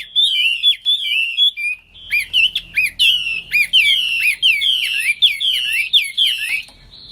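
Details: Energetic gacor song of a wambi, the Hwamei: wavering whistles at first, then a burst of loud looping notes with bright overtones, repeated quickly and steadily for several seconds.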